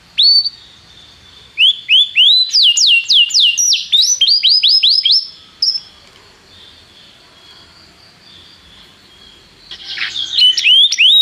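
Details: Canary song for tutoring a young canary: bursts of rising and falling whistled notes repeated quickly, a long quiet gap with faint background hiss, then singing resumes.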